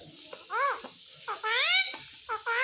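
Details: A trained pet Indian ringneck, or Alexander parrot, talks with clear voice, saying "Papa Papa". Three arched, harmonic syllables sound, the middle one longest and rising, over a constant high electronic whine.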